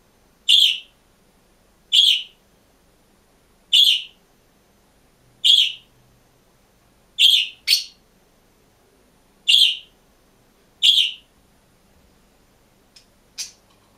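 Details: Lone caged green budgerigar repeating a loud, clear chirp roughly every one and a half to two seconds, eight times, then two softer notes. The room is otherwise silent.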